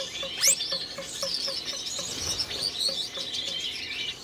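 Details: Caged red-headed Gouldian finch pair courting during the breeding season. A loud rising squeak opens a run of high, thin, buzzy twittering. Soft ticking repeats roughly twice a second.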